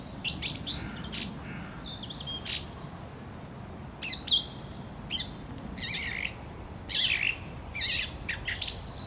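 A song thrush sings loud, varied phrases, some sharp and whistled, others scratchy, with a few phrases repeated back to back, over a low background rumble.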